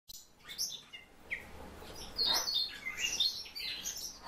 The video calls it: Белоухий китайский соловей- Leiothrix argentauris